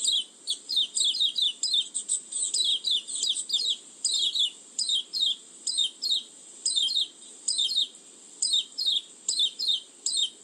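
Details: Oriental white-eye lure call used for attracting birds: rapid high, sweeping chirp bursts repeated roughly every half second in a steady rhythm, over a continuous high hiss.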